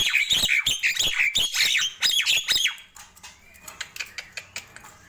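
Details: Nias hill myna calling in the morning, a rapid volley of loud, rough squawks and whistles for under three seconds, followed by softer scattered clicks.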